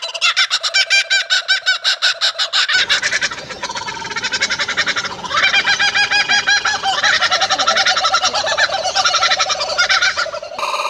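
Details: Laughing Kookaburras cackling in a group chorus: rapid, harsh repeated 'ha' notes that start low and rise higher into loud, overlapping laughter that carries over long distances, over a low background rumble, possibly music.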